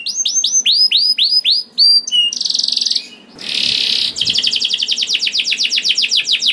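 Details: {'caption': 'Canary singing to prompt other canaries into song: a row of down-slurred whistles, then a harsh buzzy burst and a noisy rasping pause, followed by a fast even trill of repeated notes.'}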